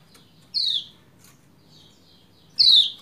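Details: Two sharp, descending chirps about two seconds apart from a female Lombok pleci, a call used to stimulate the male to sing, with faint ticking between them.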